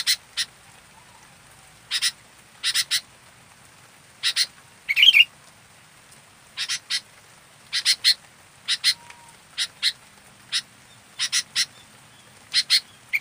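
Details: Local sooty-headed bulbul, fully active: harsh, broadband chattering bursts, mostly in pairs or short triplets, repeated roughly every second across the recording over a quiet, steady background.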